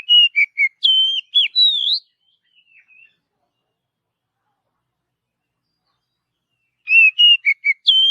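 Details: Oriental magpie-robin singing naturally in a forest: a rapid series of bright whistled notes with dips and upward glides, faint soft notes, then a long silence before a second quick burst of short varied whistles.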